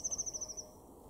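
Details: A Eurasian blue tit in a garden in Weener, East Frisia, northwest Germany, in April 2021, gives a quick, very high, thin trill of about nine even notes lasting just over half a second, followed by faint background hiss.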